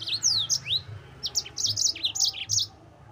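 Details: Yellow-fronted canary song meant to provoke rivals: a dense, energetic stream of high, sweeping and chirped notes with swooping slurs throughout, low hum beneath.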